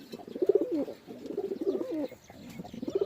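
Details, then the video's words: Low purring pigeon coos, a short rolling burst, a brief pause, then another bout of throaty cooing. "Pigeon Sound"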